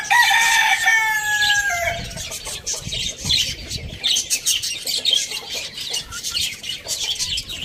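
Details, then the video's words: Morning rooster crow: a loud, harmonic call that slides downward and ends after about two seconds, followed by steady high-pitched chirping and twittering from many small birds. "Rooster crowing sound in the morning"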